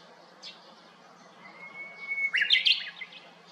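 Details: Japanese bush warbler singing in May 2021 from a hiba cypress next to an empty house, after a brown-eared bulbul gave up the perch. A sustained clear whistle breaks into a rich, fast, chattering phrase. Quiet chirps sound in the background.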